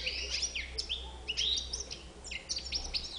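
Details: Goldfinch with a white bib delivering quick liquid twitters mixed with clear whistled slurs and sharp chips, closely packed and lively, with a low background drone.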